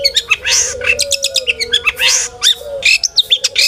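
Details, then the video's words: Long-tailed shrike in full varied song used to make other shrikes sing, a dense jumble of chirps, rasps and sweeping whistles with a sustained low whistled tone running underneath. "burung cendet gacor FULL ISIAN buat PANCINGAN CENDET AGAR BUNYI!!"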